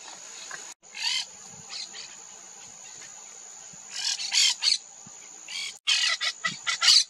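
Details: Monk parakeet in wetlands of the Maldonado river estuary, Uruguay, February 2024, giving harsh, grating squawks in short bursts, some fast and chattering, over a steady high insect whine.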